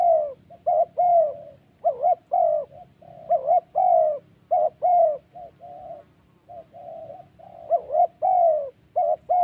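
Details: Spotted doves in a thổ-style clash during decoy trapping in Vietnam's Central Highlands; rapid, strongly inflected coos in close clusters, one brief gap near six seconds, then the sequence resumes over a soft hum.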